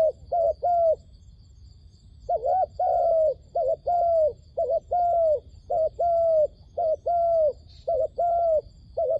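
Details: Luring call for trapping wild doves: after a short pause, paired coos repeat steadily, a brief wavering note then a longer falling one, about once a second, over a faint constant high-pitched hum.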